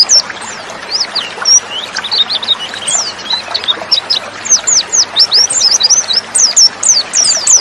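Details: White-eyes in a flock-like chorus, a female lure for reluctant males: dense, busy twittering of thin, high, falling whistles, growing faster and louder toward the end.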